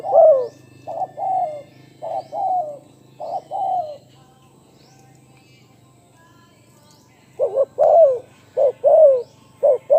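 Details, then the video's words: Spotted dove, a golden-voiced calling bird: two phrases of low, mellow coos in short rhythmic groups, a quiet gap of about three seconds, then another series of coos, over a faint low hum. "นกเขาใญ่ ,เจ้าพายุเสียงทอง,เรียกหมานๆ100%"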